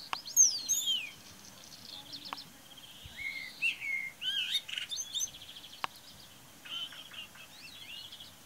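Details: Common starling singing on a morning on 8 April 2018 at Braziūkai, Kaunas district, Lithuania: a varied medley of whistled slides, clicks, rattles and buzzy warbled phrases, with high swooping whistles and sharp ticking notes.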